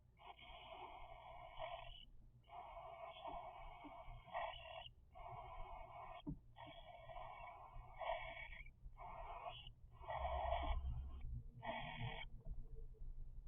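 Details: A run of about ten rasping, wheezy begging calls from three-week-old cockatiel chicks, one every second or so, in a small room with a low hum and a brief thump near the end.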